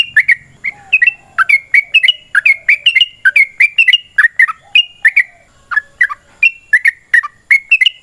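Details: A yellow-vented bulbul delivers its extended fighting song, used as a lure to provoke other birds to sing: steady streams of bright, bubbly slurred notes, several per second, with a soft faint hum early on.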